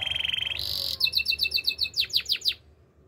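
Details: Canary song opening with a rapid high trill and a sustained whistled tone, then a series of sharp descending high notes repeated several times a second.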